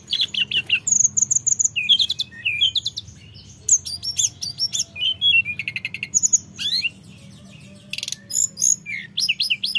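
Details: Blood-breasted Flowerpecker from the mountains, used as a lure to provoke reluctant birds into singing, pours out rapid, very high, thin chips and tinkling trills in dense bursts with short pauses, over a faint low hum.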